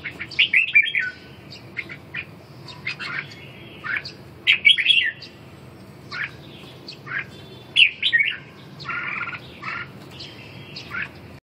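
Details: Red-whiskered bulbul in a singing contest aimed at restoring a bird's lost fire and vigor; scattered bursts of whistled, warbling phrases and sharp chirps every few seconds over quiet background.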